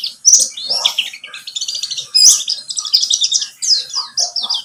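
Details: Pleci buxtomi white-eye song for luring a bird into singing: loud high trilling runs and sharp chirps in a short, lively burst, with a few softer lower notes between phrases.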